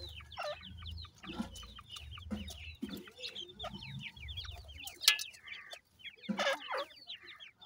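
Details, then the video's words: Playing grey francolin chicks give busy, high downslurred cheeps in overlapping runs, broken by a few louder squeaks and low knocking sounds. "goray teetar kay goray bachay in the playing,chicks voice"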